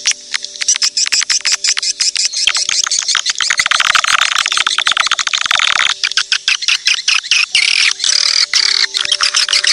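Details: Recorded edible-nest swiftlet calls meant to lure birds: a nearly unbroken wash of high twittering and clicking chirps, briefly pausing around the sixth second.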